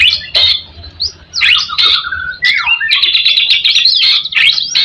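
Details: Song of a white-rumped shama, played to stir up other shamas, made of rising and falling whistled slurs, buzzy notes and quick chattering runs, loud and busy over a faint low hum.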